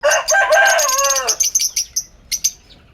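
Lovebird chatter: a harsh, buzzy burst of harmonic squawks for a second, then a run of sharp, high chirps repeated rapidly and unevenly.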